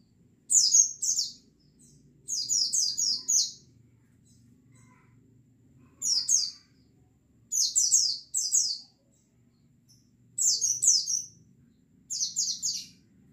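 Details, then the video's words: A flock of white-eyes serving as a song lure: six bursts of two to five thin, high-pitched, downward-sweeping tweets, spaced irregularly across the recording with quiet gaps. "TERAPI PANCINGAN BURUNG PLECI OMBYOKAN BIAR CEPAT NGALAS"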